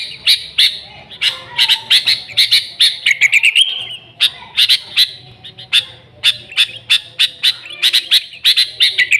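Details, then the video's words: Sooty-headed bulbul, recorded to lure the species: dense, rapid chirping in bursts, with a descending slurred phrase leading into a brief steady whistle around four seconds. "Suara Burung Kutilang Gacor ASLI Tanpa isian, Ampuh untuk Pikat Kutilang bikin kutilang Ribut gacor"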